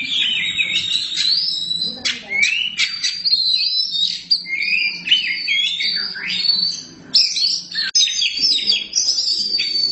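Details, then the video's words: Black kacer, an Oriental magpie-robin, giving a long, varied song: rapid twittering, sharp whistled notes and slurred warbles in dense bursts, with a few short breaks and steady high pitch. "Kacer hitam gak pernah malu untuk gacor nie"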